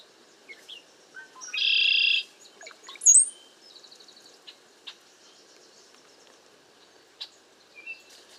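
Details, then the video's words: Cowbirds flocking together to a safe place in bad weather and strong wind. A loud, steady buzzy tone comes first, then a sharp, high rising whistle, followed by sparse short chips and squeaks. "Cowbirds #bad weather #strong wind #safe place #bunch of birds #type #sound"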